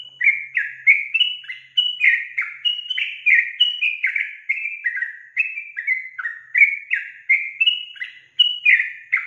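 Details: Lively calling of a female yellow-vented bulbul meant to make males reply: a steady stream of bubbly, slurred chirps, each dropping slightly in pitch, repeated roughly three times a second without pause, with no other sounds.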